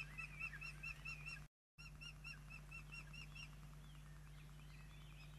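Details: Young ospreys being fed dinner at a Poole Harbour nest, June 2024. Rapid, piping chirps repeat roughly twice a second, with thinner overlapping calls and a constant low background hum.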